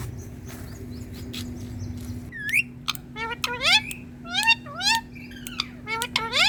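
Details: Rose-ringed parakeet of the green ringneck type speaking on a plant, Indian talking parrot: after a quiet start, rapid strings of ringing, swooping harmonic notes tumble out in speech-like phrases, with clicks between, above a constant low hum.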